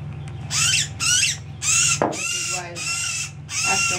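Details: Northern cardinal (Cardinalis cardinalis) making a fuss while being handled and banded at Occoquan Bay National Wildlife Refuge on 9 May 2018, giving about six harsh, raspy distress squawks in quick succession over a low background hum.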